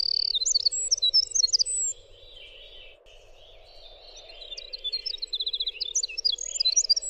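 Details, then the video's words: Winter wren song: rapid high twittering and trills, a two-second lull with only a low hum, then the bubbling, high-pitched cascade resumes with a short stuttering trill near the end. "suara winter wren"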